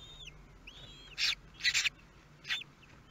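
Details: Common kestrel at a nest in Théding, France, on 23 May 2022, during the first meal of the newly hatched chicks: three harsh, screechy bursts about half a second apart, with thin, high whistled notes faintly heard before them.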